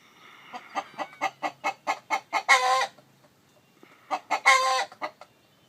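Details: Chicken by a hen sitting on eggs, clucks growing louder and faster until they break into a harsh, drawn squawk; the sequence repeats once more after a short pause.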